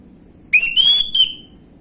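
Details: Orange-headed thrush in a lure recording for young birds, 'gamblingan' style: one brief clear whistle sweeping upward into a steady ringing note, then a short final accent.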